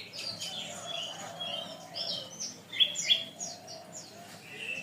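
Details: {'caption': 'Canary tutor song for training birds: varied high chirps and short whistled notes, a few sharp clicks, ending in a soft sustained tone; a low background hum runs throughout and the singing is fairly quiet.'}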